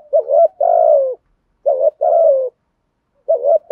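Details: Decoy spotted dove, trained daily, giving repeated mellow coos to lure other doves: short clipped note then a drawn-out descending coo, phrases repeated with brief silent gaps.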